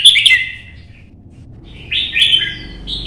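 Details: Red-whiskered bulbul, a caged competition bird in Vietnam, singing in morning sun while hopping between perches: two short bursts of bright, warbled notes with sharp chirps, separated by a pause of over a second, in a quiet room.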